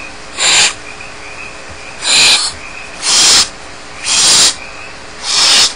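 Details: Five rough, breathy hisses about a second apart come from barn owl chicks without their parents in a Starr Ranch nest. Each burst lasts around a third of a second.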